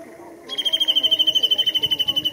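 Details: Japanese bush warbler recorded on 10 April 2021 at Showa Kinen Park, breaking into a loud, fast, even pulsed trill held on one high note for nearly two seconds.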